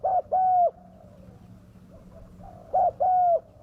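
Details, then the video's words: Used to attract wild doves, this spotted dove gives a short coo and a long drawn coo, then a quiet gap with faint coos, then the same short-long pair again. "pikat burung tekukur suara ganas"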